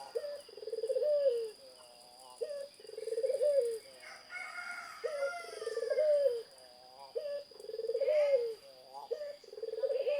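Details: Zebra dove singing energetically, with repeated phrases of a quick upward note and a bubbling, pulsed coo roughly every two seconds. Another bird's whistled, sliding notes overlap in the middle, over a steady high hum.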